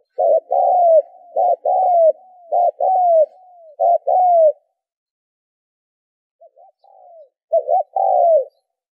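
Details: Spotted dove coo series used to train decoy birds: four fast phrases of a short note plus a falling coo, a pause of about two seconds, then quiet notes building into one more full phrase.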